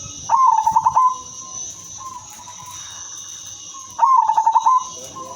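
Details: Silver-coloured female zebra dove, suited as a lure for all kinds of zebra doves. Sings two quick, throbbing coo phrases of fast pulsed notes, about four seconds apart, with a constant high-pitched background whine.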